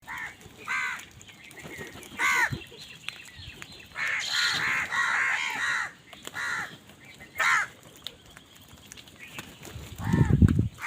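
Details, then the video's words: Crows fighting for food give loud, harsh, hoarse caws in overlapping bursts. Several birds call over one another, with quieter gaps between bouts. A low thud is heard at the end. "কাকের ডাক Crow Sound Crow ki Awaz Loudly | Crow bird Fight for Food"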